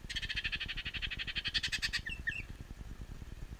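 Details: Baltimore orioles feeding on grape jelly at backyard feeders in southeast Kansas, May 9, 2019: a fast, dry chattering rattle lasting about two seconds, followed by a few short whistled notes, over low rumbling background noise.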